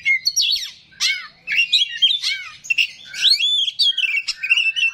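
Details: Oriental magpie-robin of the small 'kacer rawit' type singing its coarse 'isian kasar' fill-in, used to draw replies from other magpie-robins: varied bursts of sharp whistles, slurred rising and falling notes and chattery phrases separated by short pauses.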